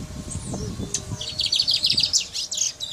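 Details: Guyana brown mustache finch in song, a quick string of high, thin chirps and trills building from about one second on, with faint low rustling underneath early on.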